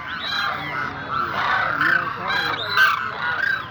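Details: Overlapping honks and trumpeting notes from a flock of demoiselle cranes, or koonj, build in loudness toward the end, with several calls bending upward.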